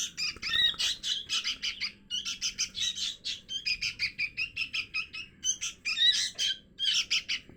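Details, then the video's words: Sooty-headed bulbul chick begging call, used as a lure sound to bring wild birds down: dense bursts of high, rapid, harsh chattering chirps, grouped in short pulses about every half second, continuing steadily with no other clear sounds. "Suara pikat anak'n kutilang"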